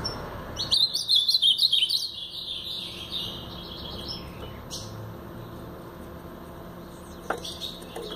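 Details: Brown-plumaged Blue-black grosbeak giving a Paraná-style song: a quick burst of high, warbled notes for about a second, then fading into faint fragments over steady background hum and a single click near the end.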